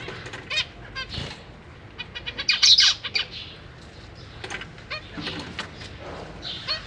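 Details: Caged zebra finch family with three juveniles and three newly hatched young being fed by parents; busy bursts of high, rapid chirps and nasal calls, densest in the middle, among fluttering.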